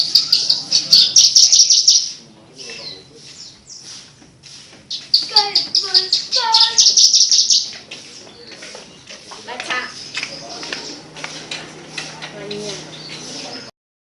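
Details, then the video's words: Javan bush lark singing melodiously: two long bursts of high, rapid twittering with a few lower, fluty notes mixed in, then a quieter stretch of scattered chirps and faint background murmur. "Burung branjangan edun suara merdu"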